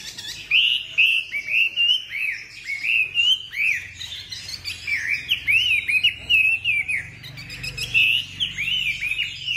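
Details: Caged Chinese hwamei kept as a songbird, singing a continuous run of loud, clear whistled phrases with rising and falling slurred notes, many short upswept arcs repeated rapidly, no other sounds prominent.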